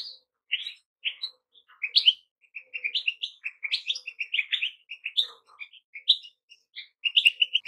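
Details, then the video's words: Goldfinch singing a continuous, jangling twitter of quick high notes, tinkling chirps and short buzzy elements strung together almost without pause, growing denser toward the end. "Goldfinches - amazing song"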